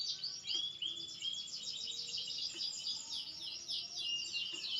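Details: Green canary song, bird maturing: faint, fast high trills and sliding notes over a steady hiss of background noise, with soft clicks.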